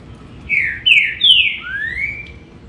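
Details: Green-winged saltator with a phrase of four rich whistled notes, the first three slurring downward in quick succession and the last a longer, rising then flattening whistle, against steady low hum.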